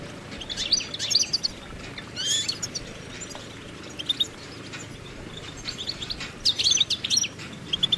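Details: Goldfinch giving bursts of quick, high, twittering warbles, with some louder phrases near the start and toward the end, over steady low background noise.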